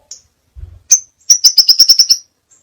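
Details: Crimson sunbird (Aethopyga siparaja) masteran song: a sharp high note, a brief low bump, then a steady series of about eight thin, evenly spaced high chips forming a quick trill.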